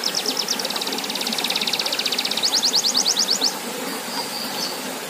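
A canary sings fast, high trills, rapid repeated notes in rolling bursts that shift pitch over a few seconds, with a steady hiss of flowing water beneath.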